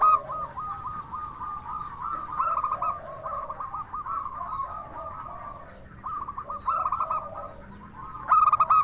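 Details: Crystal-voiced local zebra dove singing to lure other doves into answering. Repeated phrases of fast, trilling coos rise and fall through the clip. Other doves coo in the background, and a sharp loud burst comes near the end.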